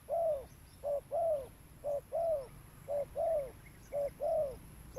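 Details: Spotted dove cooing for luring birds, steady rhythmic couplets of a brief low note and a drawn-out descending coo, repeating about every second, with faint background hiss.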